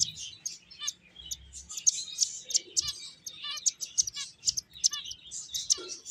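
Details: Finches at play giving rapid, high, thin chirps and short clicking twitters, several birds overlapping in quick irregular bursts, with a faint low hum underneath.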